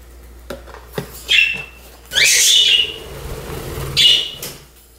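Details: A pet budgie gives high, thin whistled chirps, one short note, then a longer buzzy, warbling burst, and a last brief chirp, over a low indoor hum.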